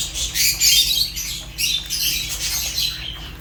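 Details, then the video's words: Fischer's lovebirds producing dense, shrill chattering chirps that run almost without pause, harsh and high-pitched, with a low background hum. "African lovebirds chirps sounds | تغاريد فيشر"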